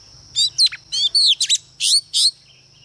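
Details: Female Oriental magpie-robin singing as a lure to provoke males: crisp, downward-sweeping whistles and buzzy chirps in about seven quick notes, with a thin constant tone behind.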